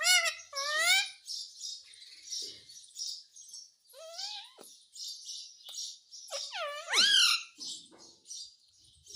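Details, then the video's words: Pet parrot chattering while asking for roti: a string of nasal, voice-like calls that sweep upward. A loud, bending squawk near the end sits over a steady hiss. "Parrot Talking Everything"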